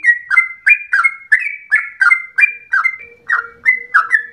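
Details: Yellow-vented bulbul singing constantly in long rapid phrases that resemble a straw-headed bulbul: bubbly, slurred whistled notes repeated about three times a second, each dropping then levelling, with a faint low steady tone in the second half.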